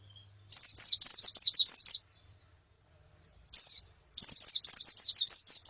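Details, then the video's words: Female and colony white-eye calls, played as therapy to prompt a male's song: quick high, thin descending notes in two rapid chattering bursts with a pause between, the second burst longer and denser. "Suara Pleci Betina dan Koloni Untuk Terapi Kicau Pleci Jantan"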